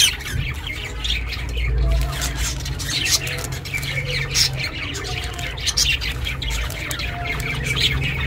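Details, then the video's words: Captive pet budgerigar chirping, captured for solitary budgies: ongoing chirpy warble with scratchy notes, set against a fairly strong low rumbling background hum. "chirping sounds"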